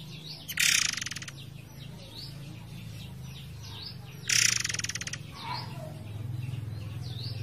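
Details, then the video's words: Two grating, buzzy rattles from a forktail, about four seconds apart, over a strong low murmur of flowing water. Soft high chirping of other birds fills the gaps. "MASTERAN BURUNG MURAI AIR GACOR / Ngerol Durasi Panjang"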